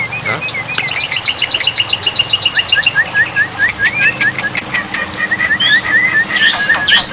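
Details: Black-winged myna tutor recording with water therapy, for prompting silent birds: a steady series of short rising notes repeated about twice a second, turning into scratchy upswept calls near the end.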